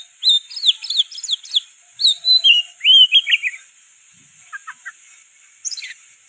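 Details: Oriental magpie-robin singing nonstop, its repertoire filled with sooty-headed bulbul phrases. Rapid strings of clear, bouncing whistled notes run for three seconds, followed by faint chips and a thin high descending whistle.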